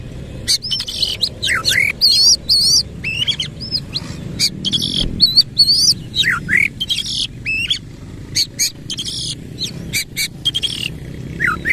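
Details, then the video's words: Oriental magpie-robin (kacer) singing vigorously with tail spread, in a harsh 'isian kasar' style: rapid varied whistles, sharp rising and falling sweeps and buzzy chirps in dense bursts, over a low background hum. "KACER GACOR BONGKAR ISIAN KASAR BUKA EKOR"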